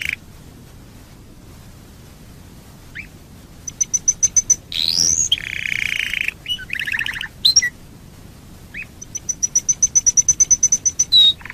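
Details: Singing domestic canary, used as a lure to get other canaries singing: scattered chirps, bursts of rapid high repeated notes, a rising sweep and dense buzzy rolls, with quiet gaps between phrases.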